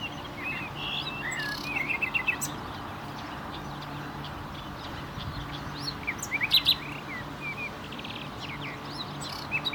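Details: Common nightingale giving sparse short phrases of quick chirps and rapid notes separated by long pauses, over a low background hum.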